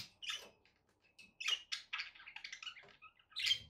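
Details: Budgerigars kept as pets give scratchy chirps, short squawks and thin whistled notes in uneven bursts, with brief quiet gaps between them and faint low background noise.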